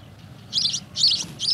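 A house sparrow gives three bursts of harsh, high chirps, each about a third of a second long, with faint low background rumble.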